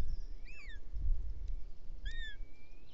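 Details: Bonelli's eagle nestling in Catalonia's Ports Natural Park, June, pleading for the female's help with a toad the father delivered; two thin wavering squeals, the second trailing into a long drawn whistle, over low rumbling noise.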